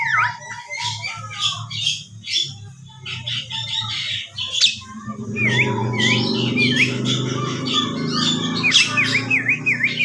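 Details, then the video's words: Javan myna giving a harsh, chattering start, then after about five seconds a run of rapid, sharp V-shaped whistles repeated over a steady low hum. "Burung jalak kebo suara bersuit"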